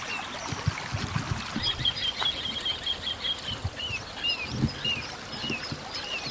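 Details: Several little ringed plovers circling and calling over a river on 3 May 2015, possibly prospecting for a nest site, filmed on a Canon PowerShot SX60 HS; a fast whistled trill, then separate slurred whistles, with low thumps and rustling.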